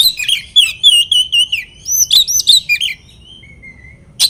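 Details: Song of a kacer, the oriental magpie-robin, played to stir rival birds to aggression: a fast string of bright wavering whistles and chattering notes, then a thin drawn-out whistle and one sharp click.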